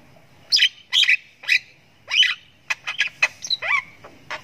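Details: Javan myna chick doing ngriwik while learning its voice: several drawn-out scratchy squawks spaced roughly half a second apart, followed by a quicker cluster of sharp clicks and shorter rasping notes.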